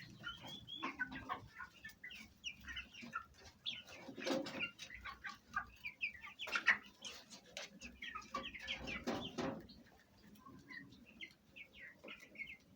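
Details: Hens and young chicks of the Fayumi breed, Egyptian origin, at home while feeding and fighting; many thin high peeps in quick series with scuffling knocks and shuffling between them.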